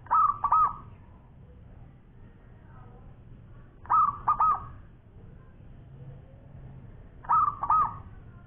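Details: Actively singing local zebra dove with a long, champion-grade voice. Three phrases spaced over three seconds apart, each a cluster of soft, bubbling coos. A low hum and faint murmurs run underneath.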